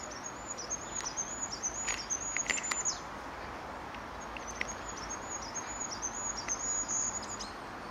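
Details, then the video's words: Goldcrest singing at Staffordshire Wildlife Trust HQ on 9 March 2016: two phrases of extremely high, thin, rapidly repeated notes, each about three seconds, over a soft outdoor hiss with faint chirps from other birds. "Goldcrest singing"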